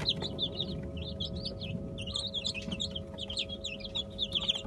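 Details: Young Brahma chicks busy eating a homemade egg and bulgur mash with olive oil. Steady stream of quick, thin, down-slurred peeps from many birds at once, with faint pecking and a low hum beneath.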